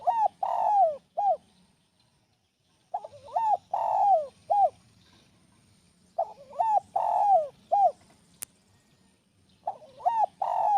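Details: Spotted dove song used for training: loud, mellow cooing phrases in rising-and-falling notes, each a short coo, a long drawn coo and a final clipped coo, repeated in three bouts with short pauses between.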